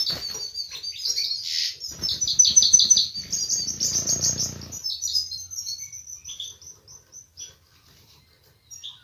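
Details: European goldfinch (Carduelis carduelis) courtship mating song, said to prompt the female to take a mating posture: a fast, tinkling twitter of high notes, dense for five seconds, then thinning into scattered single chirps, with some soft rustling.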